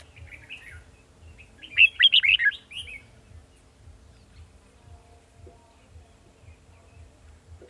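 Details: Red-whiskered bulbul in song while wild birds are being trapped, 18 December 2020: soft lead-in notes, then a rich, rapid phrase of rolling whistles. Quiet murmuring voices and a steady low hum follow.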